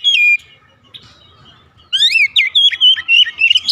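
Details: Oriental magpie-robin singing in the morning: a high whistled note falling in pitch, a pause, then a rapid run of loud, varied whistles that swoop and rise and fall without a break.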